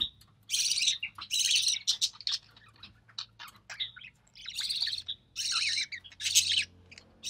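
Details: Recessive pied budgerigar chick hatched in early June 2020, offspring of a white recessive pied male and albino red-eye female, filmed while its mother feeds it; harsh raspy noisy bursts repeat irregularly, about one per second, with brief pauses.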